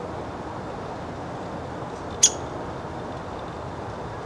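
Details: Female downy woodpecker at the nest box where she roosts, giving one abrupt, high-pitched call amid quiet, steady background rumble.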